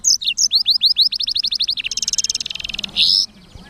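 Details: Black-throated canary in vigorous 'gacor' singing recorded as clean training material: sharp high chirps running into a quick series of rising whistled notes, then a dense buzzy trill and a harsh burst.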